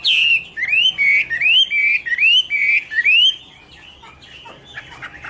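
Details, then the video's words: Chinese hwamei (Garrulax canorus) repeating a bright whistled note that rises sharply, about five times in quick succession, followed by quieter softer notes. "Birds Garrulax canorus: Singer yellow mouth - wonderful birdsong"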